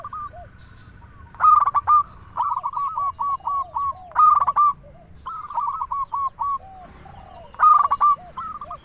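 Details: Local zebra dove (perkutut) singing, used as a lure and to stir other doves into song: repeated phrases of rapid stuttered notes trailing into bubbly rolling coos, with softer distant doves answering between.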